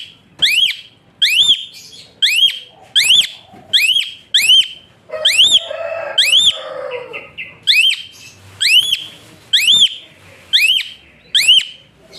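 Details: Asian pied starling singing a tutor whistle for lazy birds: a long series of ringing arched whistles, one roughly every second, with a brief burst of lower rustling midway.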